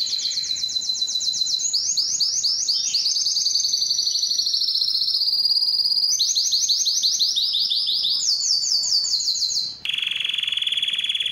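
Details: Belgian canary singing to stimulate females for breeding: long run of rapid trilled tours, high buzzy rattles shifting between pitches, steady and loud, ending with a sudden change to a brighter sustained trill.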